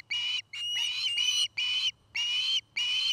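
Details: Nest-cam osprey in Charlo, Montana, giving piercing, drawn-out whistled calls, some longer and some clipped, repeated roughly every half second with a faint low hum behind.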